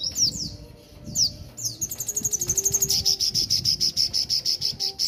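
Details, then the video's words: Horsfield's babbler singing at Mojokerto: a few sharp high downslurs lead into a long, even series of rapid, ringing, high-pitched pulses, steady for over two seconds. "Burung Sogon Gacor Dor"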